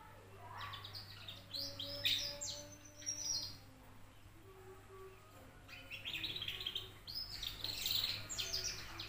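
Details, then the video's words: Two-month-old canary singing loudly; bright, rapid high chirps and twittering trills in bursts, with a steady low hum and faint lower tonal sounds beneath. "Burung Kenari Usia 2 Bulan Ngriwik Kenceng"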